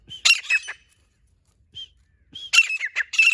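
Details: Female grey francolin calling: harsh high squawky bursts with a short whistled note, a quiet gap, then a faster run of rasping squawks.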